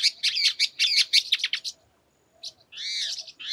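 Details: One of a pair of Wing-banded Horneros in the Sertão of Bahia, Paramirim, Brazil, alarmed by nearby parakeets, gives fast harsh high chattering notes, a pause, then buzzier rasping notes, with some wind.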